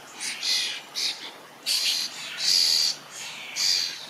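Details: Young common starlings in a berry bush beg loudly while a parent feeds them; harsh, wheezy, hissing bursts repeat about every half second, growing longer and louder in an insistent series.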